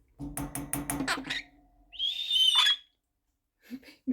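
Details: A pet monk parakeet, prompted by its owner to whistle, gives one clear, high whistle lasting under a second after a person's short, choppy speech; soft talking follows.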